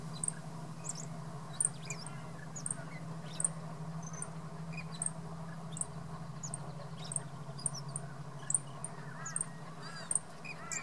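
Mistletoebird giving very high, thin, sharp ticking notes, several a second at irregular intervals, over a steady low hum with faint lower chirps from other birds.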